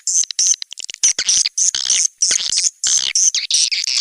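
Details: Indonesian lure sound SP Anak Gembala for attracting swiftlets to nesting houses in Sóc Trăng and Đắk Nông, Vietnam; an outdoor sound. Short high piercing chirps and whistled notes come in fast uneven bursts.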